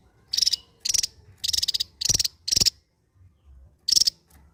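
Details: Javan white-eye, a Java endemic, delivering 'ngebren' drilling song: five short high rattled bursts about half a second apart, then a pause and one final burst.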